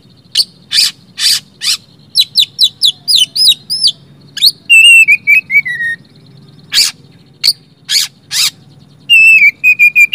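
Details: Oriental magpie-robin song meant to get reluctant magpie-robins singing. Harsh broadband chacks alternate with rapid whistled slurs and a descending series of sweet, wavering whistles. Later come more harsh notes and a closing run of repeated whistled phrases.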